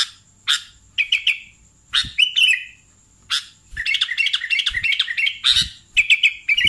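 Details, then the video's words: Sooty-headed bulbul (kutilang) lure call used to attract wild bulbuls or stimulate birds at home: bright, bubbly chirps in quick bursts, some clipped and some slightly rolling, over a thin steady high whine. "SUARA BURUNG Kutilang Pikat"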